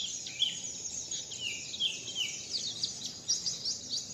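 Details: Songbird singing in the style called wit wit zipeer, a learning recording: rapid high chirps and downward-sweeping whistles packed densely together, with a steady hiss behind.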